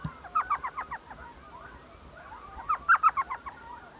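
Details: An elf owl calls at dusk from its nest hole in a saguaro cactus near Mesa, Arizona, with two chattering runs of six or seven sharp, yelping notes separated by a quieter pause.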